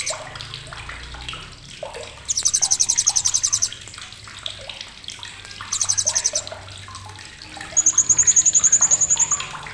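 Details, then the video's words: Blue-crowned hanging parrot making a sharp chattering call, recorded as tutor material for songbirds: three runs of rapid, very high buzzy pulses lasting one to two seconds each, over softer chirps from other birds and a low hum. "CRECETAN TAJAM BURUNG SRINDIT"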